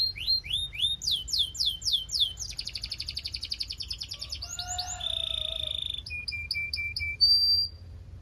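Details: Belgian canary singing a varied song: repeated rising sweeps, rapid trills, a low pure whistle, then sharp descending notes and a high sustained tone, all clear and loud with little background.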